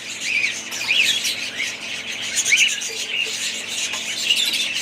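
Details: Flock of budgerigars keeping up busy high-pitched chatter, overlapping twitters and short squawks packed closely together, with a few sharper rising chirps standing out.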